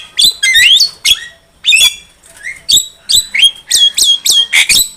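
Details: Javan myna song used to attract birds for trapping: harsh squawks and whistled slurs, then a steady series of bright, clipped notes repeated about every third of a second.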